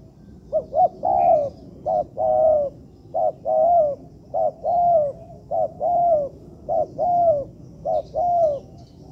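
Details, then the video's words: Spotted dove coo recorded as training material in an artificial yard: about nine mellow phrases, each a short hooted note or two followed by a longer, slightly falling coo, repeated roughly every second over faint low background hum. "Melatih Bahan Ajaran Tekukur di Laman Buatan"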